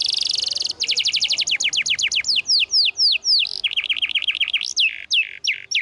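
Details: Vigorous canary masteran song meant to get silent canaries singing again: a brief high trill breaks into quick downward-sweeping whistles repeated several times a second, then a steady chattering run of lower notes and scattered high slurred whistles.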